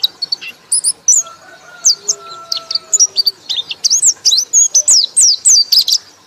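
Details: White-eye in loud ngekek song, rapid high chirps and looping whistled notes pouring out almost without pause, with a faint low whistle heard in the background.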